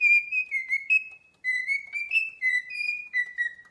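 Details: Parrot whistling a sung melody of smooth, clear notes that rise and dip, phrased in two short runs separated by a brief pause.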